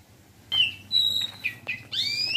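An Asian pied starling sings a quick, varied run of clear whistles, sliding notes and buzzy chatter over about two seconds, with a faint low hum beneath.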